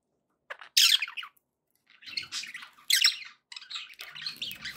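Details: Budgerigars giving happy calls: a loud harsh squawk, then stretches of rough, grating chatter and one more sharp burst.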